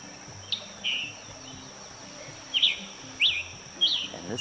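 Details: Scarlet Tanager in the Carolina Crescent giving its call rather than song, a scattered series of hoarse, two-part chip-burr ('chipper') calls, five in as many seconds, over a steady thin insect whine and low background murmur.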